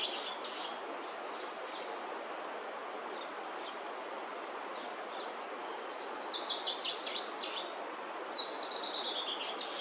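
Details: Bertoni's antbird singing while feeding on bamboo in Brazil: after a stretch of faint background noise and scattered soft notes, a rapid descending run of raspy notes bursts out, followed shortly by a second, similar raspy series.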